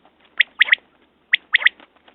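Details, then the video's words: Quail calling, a short single note followed by a quick pair of sharp mid-pitched notes, the three-note phrase given twice about a second apart with a quiet background. "Batair Ki Awaz New Quail sounds"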